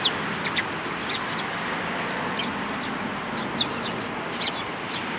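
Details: Sparrows, among them one without a tail, at a Tenmangu shrine on 13 April 2022, giving short high chirps scattered through the recording over a steady broadband hiss of background noise.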